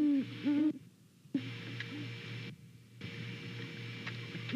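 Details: Great Horned Owls, a pair checking out a nest in Savannah one November morning, hooting to each other; two or three low hoots in the first second and a half, then long stretches of hum and faint background sound.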